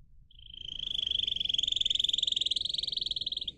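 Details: Pet canary singing for song training, one continuous rapid trill that swells in loudness and holds steady for about three seconds over a faint low background hum.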